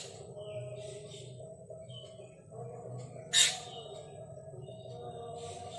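Black drongo giving a few thin, high whistled notes and one loud, harsh rasping call, over a steady low mechanical hum.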